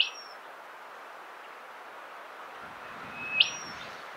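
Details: Rufous whistler at Monarto Woodlands, South Australia, on 20 October 2021: two brief high whistled notes about three seconds apart, the second sweeping sharply upward, over a steady background hiss.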